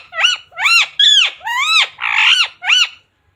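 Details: Pet parrot mimicking speech, said to say "mummy papa" and "radhe radhe"; six rapid rising-falling nasal syllables in a steady run of about half a second each, loud and close.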